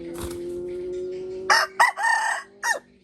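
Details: Rooster crowing: after a steady low hum, a broken crow of loud harmonic bursts, a sustained middle phrase and a falling final note, strong and rasping.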